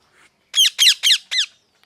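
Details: Parrot calling loudly with a burst of four rough, downward-slurred squawks, the first three close together and the fourth slightly softer. A faint murmur comes just before.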